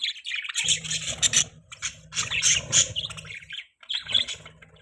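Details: Pet budgerigars chirping together: bursts of bright, squawky high chatter and quick tweets in three clustered bouts, with a steady low hum beneath.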